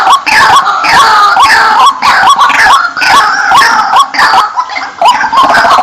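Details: White-breasted waterhen lure recording: a loud, dense chorus of harsh, clucking croaks repeated rapidly and unevenly, overlapping and somewhat distorted throughout.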